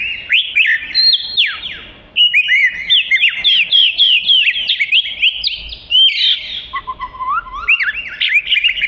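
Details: Oriental magpie-robin singing melodiously, offered as tutoring material: dense runs of sharp, downslurred and upslurred whistled notes, several per second, broken by brief pauses, with a lower whistled passage near the end.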